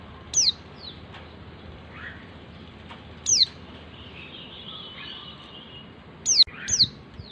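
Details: Female white-eye calling the male, played to coax lazy males into singing: thin, very high, sharply downslurred notes given singly or in quick pairs roughly every three seconds, with soft background hiss between them.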